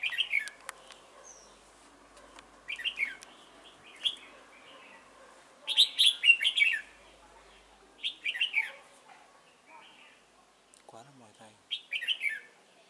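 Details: Trapping decoy red-whiskered bulbul at Chùa Hương on 28 November 2017, repeating short bubbly whistled phrases every two seconds or so, with a low rattle heard near the end.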